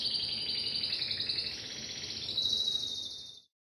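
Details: Timbrado canary giving a continuous rolled trill, high and rattling, that steps up slightly in pitch midway and stops abruptly, followed by silence.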